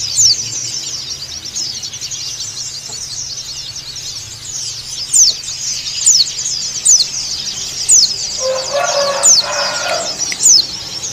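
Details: Calling white-eye (pleci dakun Bali) provoking a rival: long unbroken high twitter that gives way to a run of sharp, falling whistles repeated about every second in the second half, with a short lower squealing burst around eight to ten seconds in.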